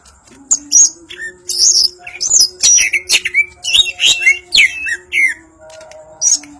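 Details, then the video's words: Greater green leafbird of the Banyuwangi type, singing an energetic ngentrok song with crest raised: rapid varied whistles, sweeping slurs and harsh chattering notes packed closely together, with a steady low hum beneath. "Cucak Ijo Banyuwangi ngentrok njambul"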